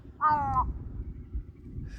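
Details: A lone Large-billed Crow perched on an empty riverside char, calling alone for a long time while moving back and forth, gives a single hoarse, slightly drawn-out caw under half a second, over a steady low wind rumble.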